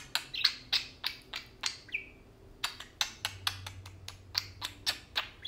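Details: Tame parakeets chattering as they play: rapid, clipped, buzzy syllables in an uneven stream. Midway comes a single drawn-out downward whistle, then the clicking chatter picks up again.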